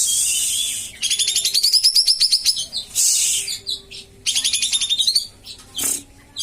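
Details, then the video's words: Common iora (kapas tembak) song for training a reluctant singer: long rapid trills climbing in pitch, repeated twice, after a hissy noisy opening. "masteran dan pancingan kapas tembak yang males bunyi"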